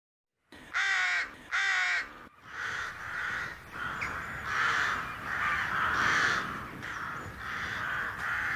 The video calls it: The Rook - Bird Song